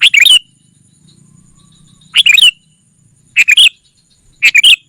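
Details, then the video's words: Sooty-headed bulbul lure call for gathering wild rivals: loud, bubbly, warbled phrases of several quick notes, given in bursts roughly every one to two seconds. "Suara Burung Kutilang Pikat GACOR SUKSES Memanggil Lawan! Kutilang Liar Auto Kumpul"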